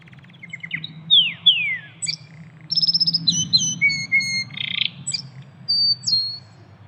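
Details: Canary singing in nature: sharp descending whistles, rapid trilled notes and clear sustained whistled phrases over a constant low background rumble.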